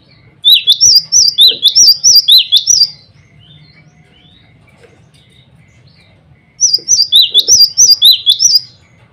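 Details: Glatik batu, a male cinereous tit, singing to summon rivals and a female: two long strings of about a dozen crisp, high, alternating whistled notes, each lasting over two seconds, with silence between.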